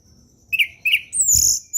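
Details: Orange-headed thrush in relaxed ngeplong style, a lure song for young birds: two short whistled notes, then a longer high, slurred, slightly buzzy phrase, with faint low background rumble.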